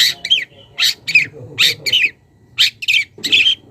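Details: Wild young long-tailed shrike calling a rival: harsh, buzzy squawking notes in short clusters of two or three, separated by brief pauses, loud and scratchy with a faint low background murmur.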